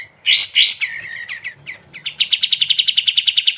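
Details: Sooty-headed bulbul in ngebren-style song on a training recording for songbird hobbyists: two loud rising whistled notes, then softer slurred notes, breaking into a fast, even rattle of high chirps near twelve per second.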